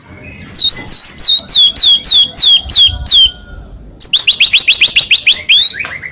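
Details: Recording of white-rumped shama song played to spur other shamas to reply: a row of high looping whistled notes repeated evenly, a pause, then a quicker, denser volley of sharp high notes.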